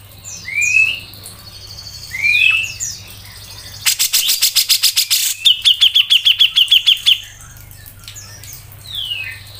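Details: Grey-cheeked bulbul tutor song in 'mbeset ngepik' style. Rising whistled slurs lead into a burst of rapid harsh rattling notes. A clear run of about a dozen quick repeated chips follows, then more whistles.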